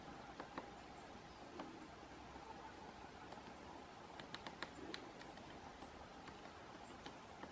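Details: A great spotted woodpecker tapping a pine cone in a forest in November: sharp, irregular taps, single knocks and quick clusters of two or three, over a steady low hiss of background noise.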